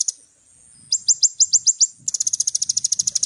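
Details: Little spiderhunter singing vigorously, a varied full song: a high steady whistle, then a run of six sharp down-slurred high notes, then a fast string of rapid thin chips.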